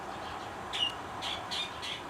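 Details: An Altamira oriole at Hugh Ramsey Nature Park, Harlingen, south Texas, gives harsh, scratchy chatter notes, about four bursts in two seconds, over a steady background hiss.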